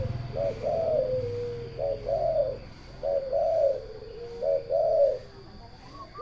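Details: Song of a turtle dove: four paired coos, a brief lead note and then a drawn-out, slightly wavering purr, given at steady intervals of about one and a half seconds over a quiet background.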